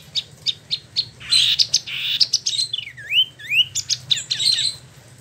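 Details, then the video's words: A captive, year-old Spot-throated Babbler (Pellorneum albiventre) with freshly completed plumage, kept in Bandung, West Java, sings a run of sharp, high chirps about every third of a second, then fast swooping whistles that dip and rise, over a faint low hum. "Wambi Mini / Tieu Mi (Pellorneum albiventre) ngeroll, ada tompelnya"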